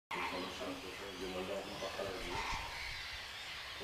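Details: A group of 44 greater flamingos feeding in summer before an observatory at Racó de l'Olla, l'Albufera, give a steady chorus of overlapping nasal, goose-like honks and gabbling over a constant background hiss.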